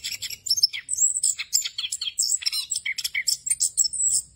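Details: Orange-headed thrush performing a rolling 'ngerol' tutor song for captive birds: rapid, varied chattering and whistled slurs that drop and rise in pitch, delivered in quick bursts without pause.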